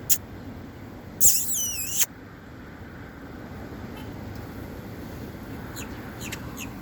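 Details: Great-tailed grackle giving a single loud, harsh, wavering screech lasting under a second, preceded by a sharp click and followed by a few faint distant ticks over quiet background hiss.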